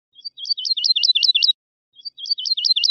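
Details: Woodlark singing two short phrases. Each starts with soft notes and builds into a quick sequence of sweet, looping whistled notes, separated by a silent gap of about half a second.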